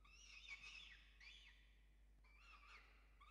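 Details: At a peregrine falcon nest in Orange, Australia, evening feeding of the chicks on 5 November 2021, nest-camera sound: three grating, harmonic calls in quick succession with wavering pitch, separated by short pauses, against faint background hum.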